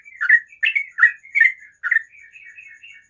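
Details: Morning song of a sooty-headed bulbul, a quick string of rich warbled notes followed by softer, thinner trailing phrases, over a quiet faint high hum.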